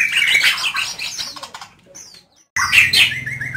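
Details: White-rumped shama singing at night, a lively bird from Medan: rich, varied warbling phrases of whistles and chatter, broken by a short silence before a burst of bright whistled notes resumes.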